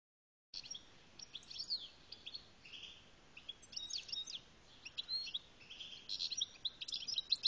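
A European goldfinch sings a fast, high, tinkling twitter of liquid notes and short buzzy trills, delivered in bursts over a faint steady hiss.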